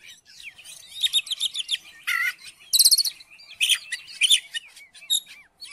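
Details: Oriental magpie-robin singing to provoke another into song, fast trilled series of high chips, harsh buzzy bursts and sharp whistled notes in quick succession, very high-pitched throughout.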